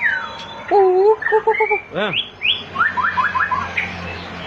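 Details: Bird called บินหลา in Thai, giving a varied series of calls: looping mid-pitched whistled notes, a quick triple chatter, a sharp falling note, then a run of rising slurred whistles over a low background hum.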